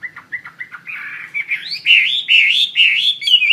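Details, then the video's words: Chinese hwamei singing a lively, loud song: short chirps at first, then rich warbled phrases rising and falling, growing louder through the passage. "SUARA KICAU BURUNG HWAMEI WAMBI GACOR"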